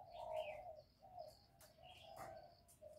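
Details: A spotted dove gives soft, low cooing notes in short phrases, used to stimulate newly kept birds. Thin high chirps and whistles from other birds sound around it.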